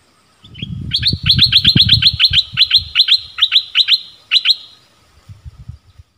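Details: Streak-eared bulbul decoy calling to attract wild birds, January 2021: a rapid series of sharp, high, evenly spaced chips, roughly twenty in under four seconds, over a low rumbling handling noise at the start.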